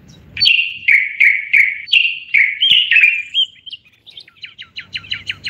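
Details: Moroccan common bulbul in a live broadcast sings a row of rich, slurred whistled notes with clicks between them, followed by thin twitters and a fast run of repeated short flicked notes.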